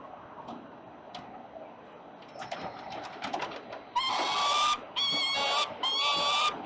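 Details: Peregrine falcons at 367 Collins in Melbourne's city centre contest prey at 5:07 p.m. on 5 November 2022. Faint clicks and scratchy sounds come first, then three loud, strained screams of under a second each close the stretch.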